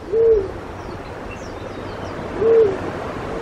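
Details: A black-chinned fruit dove in Pingtung County, Taiwan, on 1 March 2016 gives two low, soft hoots, each under half a second and slightly falling, about two seconds apart; faint high chirps of other birds behind.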